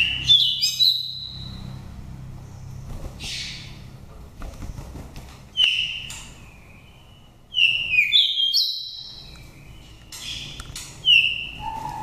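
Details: Oriental magpie-robin with a wild voice, taken from a nest in Dak Lak, Vietnam, five seasons old, used as a lure or to stir birds into breeding condition. Bright whistled phrases recur irregularly, some single clear notes, others clustered rapid chirps.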